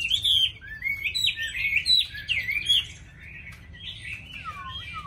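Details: Caged, tame Chinese hwamei in full song, pouring out rich whistled phrases that swoop up and down, then ending with a clear descending slurred note; quiet background hum.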